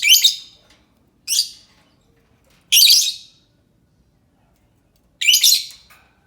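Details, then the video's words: Lure call of a lovebird to provoke answers from others: four loud, raspy high-pitched screeches at uneven intervals, the third longer and fuller, over a silent background. "Suara Burung lovebird cocok untuk pancingan lovebird pasti nyaut"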